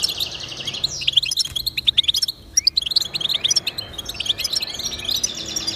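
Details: European goldfinch song, offered to motivate pet goldfinches to sing: fast liquid twittering with bright chirps and short trills, a brief pause midway, then renewed rapid warbling over a soft background hiss.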